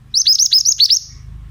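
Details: Oriental magpie-robin, played to make young birds answer: six sharp, down-curving high notes in a rapid regular burst over low background hum.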